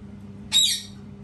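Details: A single short, grating squawk from a parrot, harsh and abrupt, lasting about a quarter second against a low background hum.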